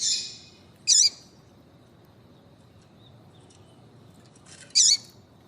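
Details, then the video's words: Two clipped, rasping chirps about four seconds apart from a female double-collared seedeater calling to get a male singing, with faint hum between. "Melhor Piado de Fêmea de Coleiro para Foguear Coleiro tui tui Com Fêmea de Coleiro Chamando"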